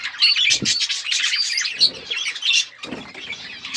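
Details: Budgerigars chirping in a flock: dense overlapping high warbles and chatter, continuous, with a few brief low thumps or wing flutters.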